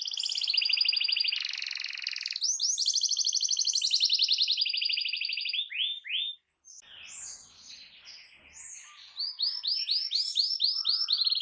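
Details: Loud canary song meant to provoke other canaries into singing: long rapid buzzy trills for six seconds, then quick upslurred whistles, a brief softer varied passage, and a closing run of fast repeated rising notes.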